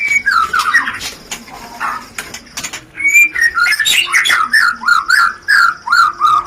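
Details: Shama rencetan lure song for mating: a chattering opening, a lull, then a lively series of looping whistled notes repeated about twice a second.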